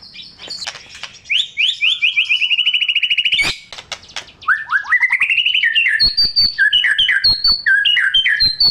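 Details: Singing white-rumped shama used as a trigger for silent birds: a rolling trill of repeated rising notes, a sharp crack, then a long series of alternating low and high whistled notes.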